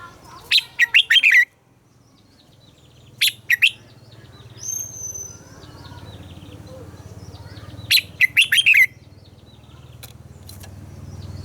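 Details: Red-whiskered bulbul morning song for training captive bulbuls: three bursts of rapid, jumbled whistled notes separated by pauses, over a steady low hum and a faint thin whistle.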